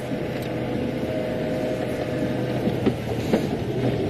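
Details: Outdoors at sunset in July, a vehicle engine rumbles steadily with a low hum and a few faint knocks, and no animal voices stand out.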